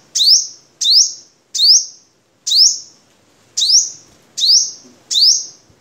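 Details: Seven evenly spaced, thin, high chirps, each sweeping upward, about 0.8 seconds apart, from a Vietnamese crimson sunbird kept as a master song for tutoring cage birds.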